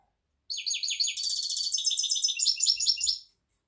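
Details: A European goldfinch from a batch of young birds, recorded 23 October 2019, sings a fast, bright, tinkling twitter of liquid notes for nearly three seconds, with a few soft low thumps near the end.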